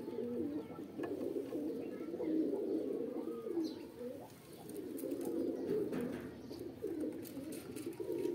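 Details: Pigeon cooing, described as a mating call: low, murmuring, rolling coos repeated in overlapping phrases, swelling and fading, with faint rustling and quiet background noise.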